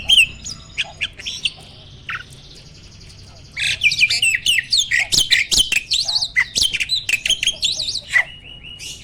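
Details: Breeding-condition adult male Asian pied starling, puffing and pumping as it sings, ready to mate; a quiet opening of sparse chirps and a held whistle gives way to a fast, rhythmic string of sharp squeaky notes.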